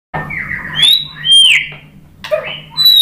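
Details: White-rumped shama song used as a lure to make other shamas answer and sing: a rich warbled phrase sliding down, then a loud clear whistle rising and falling, a short low note and a final high whistle.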